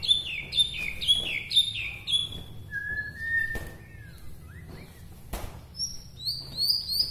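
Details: Song of a Bahorok white-rumped shama from Medan, said to stir up rival shamas: quick repeated ringing whistles, a long sliding lower whistle, then a run of high thin notes.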